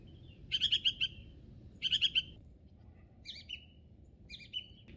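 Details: Song thrush singing in spring on Monte Baldo, Trentino: bright, fluty phrases, a quick four-note figure given twice, then varied whistled phrases; faint low background rumble.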